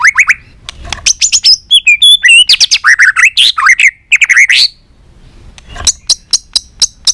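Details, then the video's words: White-rumped shama singing many varied phrases, played to stimulate and train other shamas: loud whistled notes and warbles, a pause, then a run of sharp, evenly spaced clicks. "Kích Chòe lửa hót nhiều giọng"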